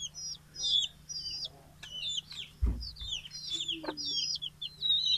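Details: Chickens big and small calling at morning feeding after leaving the coop, Betbari, Fulbaria, Mymensingh, 6 October 2018; high thin trilled peeps overlap, with a low thump midway and one short lower note.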